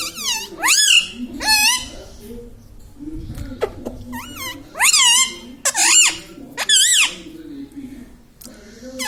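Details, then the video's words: Pet talking Indian ringneck parakeet in a room, said to say mummy, papa and radhe radhe; about seven loud, shrill, wavering voiced bursts in irregular groups, each sliding up then down, with quiet gaps and a soft low hum. "indian ringneck parrot talking video"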